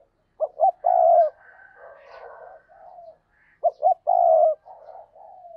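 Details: Two full coo phrases from a decoy spotted dove used to lure wild doves. Each opens with two quick short notes and swells into a long drawn coo, separated by a run of soft, lower murmuring coos.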